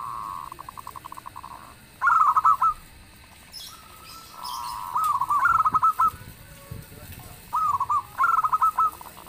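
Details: Zebra doves of a local type calling back and forth, one loud singer prompting replies: softer pulsed cooing runs alternate with louder rolling phrases, repeated several times, with faint twittering in the background.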